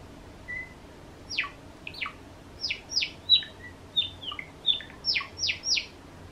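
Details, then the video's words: Cream Java sparrow kept as a pet, producing a rhythmic series of loud, high chirps, each sliding sharply downward, repeated roughly every third of a second, with a few shorter flatter notes mixed in; the room is otherwise quiet. "クリーム文鳥チノの鳴き声 Java Sparrow"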